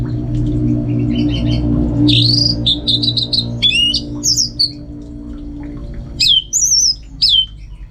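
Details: Contest-trained Orange-headed thrush in Singaraja, Bali, singing at home: quick chattering notes, rapid repeated chips, then loud downward-sweeping whistles spaced about a second apart, with a low hum underneath.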